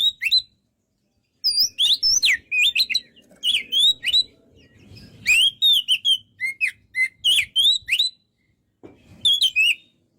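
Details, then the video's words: Kacer, white-rumped shama, singing in a lively, energetic style: bursts of loud, whistled and slurred notes with sharp rising and falling sweeps, separated by short pauses; no other sounds. "MASTERAN BURUNG KACER GACOR SEKALI"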